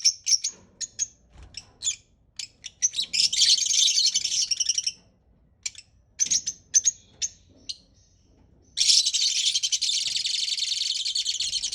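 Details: Parrot giving rapid high chirps and scratchy chatter, ending in a long continuous harsh screeching burst.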